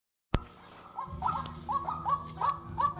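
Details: Decoy pair of white-breasted waterhens, male and female, kept for trapping. A sharp click, then short clipped notes repeat roughly every quarter second, mid-pitched and slightly rising, over low rumbling background noise.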